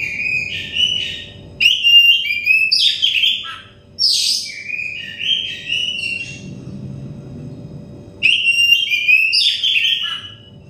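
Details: Oriental magpie-robin delivering whistled song in separate bursts, meant as therapy so stressed birds start singing fast; fluting notes mixed with quick chirps, quieter spell midway, then a loud return.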